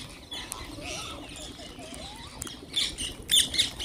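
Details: Wild green parrots calling while being fed: thin rising and wavering whistles early on, then loud harsh screeches bursting out near the end, several birds heard together.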